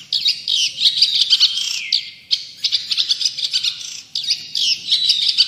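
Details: Long-tailed shrike singing actively: dense, scratchy high chattering delivered in rapid bursts, with a brief falling whistled slur partway through and barely a pause between phrases.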